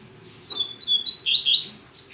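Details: Double-collared seedeater, a male kept as a pet, recorded on a Saturday morning singing a lot but still weakly, gives a high, thin whistled phrase of rising and falling slurred notes that grows louder and climbs toward the end.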